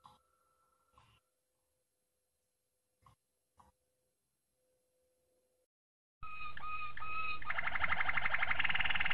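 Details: Malinois Waterslager canary, a training song: after scattered soft clicks, a loud song starts with clear whistled notes near one pitch, then turns into a fast, dense rolling trill.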